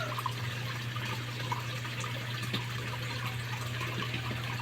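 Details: Trickling water with scattered drips and a steady low hum, with no animal calls.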